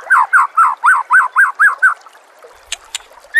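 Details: White-rumped shama master song for training birds: eight loud arched, slurred notes repeated about twice per second, then quiet with a few faint clicks and a final whistle.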